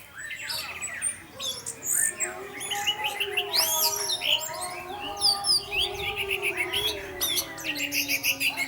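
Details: Teler song of an orange-headed thrush used as a lure for other thrushes: rapid repeated chirps and trills, about three or four a second, with swooping whistles mid-clip.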